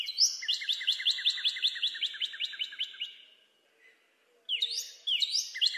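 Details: A long, fast run of bright repeated chirps from a northern cardinal, over twenty notes fading toward the end. Quiet follows, then two rising upslurs begin the next phrase.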